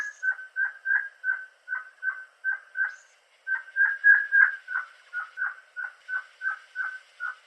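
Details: Crimson-headed Partridge, a Bornean montane forest bird, gives a loud, ringing, slightly metallic 'ring-ying' series, about three notes per second, steady with a brief pause midway.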